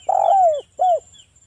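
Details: Spotted dove, local type with a wild 'ngalas' voice, used to lure other doves into answering: a long mellow low coo gliding downward, followed after a short gap by one brief arched coo, with a faint steady high whine.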